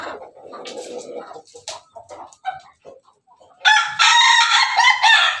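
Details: Pelung chicken heard first in soft murmured clucks and short notes, then launching into a loud, bright, sustained crow that is still going when the recording ends.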